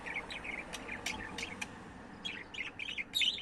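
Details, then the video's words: Pet budgerigar chattering: rapid warbled chirps broken by sharp clicking ticks in the first half, then a dense burst of squeaky, scratchy chirps near the end, with faint background hiss. "Bird Chirping Sound"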